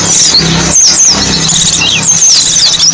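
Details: Lure recording of white-eye song: clear, thin, high whistled notes sliding down and up, repeated several times over three seconds above a background of softer twittering and a low hum.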